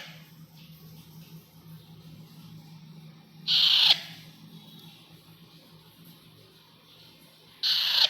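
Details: Young Indian Alexandrine parakeet kept as a pet; two loud, harsh, screeching bursts, the first about half a second long, the second cut off at the end, with quiet room hum between.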